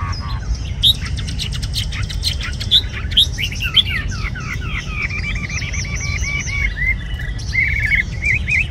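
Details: Red-whiskered bulbul kept tame in a cage gives a varied song of looping slurred whistles and quick chirps, joined by a rapid trilled stretch and a few clicking sounds.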